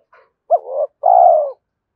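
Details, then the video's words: A single spotted dove phrase, used to prompt decoy birds to call and to train them. A faint note is followed by a rising, wavering coo and then a longer, steady, gently falling coo. "Tiếng chim cu gáy kích bổi nhanh nổi và tập mồi hiệu quả"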